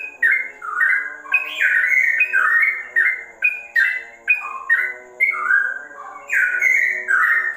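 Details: Loud whistled song of a sooty-headed bulbul in a straw-headed bulbul style: clear liquid notes in short bursts, mixing upslurs and downslurs and varying pitch from phrase to phrase, over a steady low drone.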